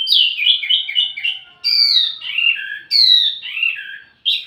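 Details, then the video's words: ['Wambi mini singing as lure and master audio for tledekan birds: varied warbling phrases of clear whistled notes, each starting high and tumbling downward in slurs, separated by short pauses.'] "wambi mini burung pancingan sekaligus masteran buat tledekan anda"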